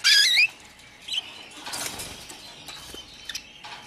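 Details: F1 canary being raised as a contest fighter candidate: a brief burst of high, warbling trills that sweep up and down, followed by a single chirp and faint scattered clicks.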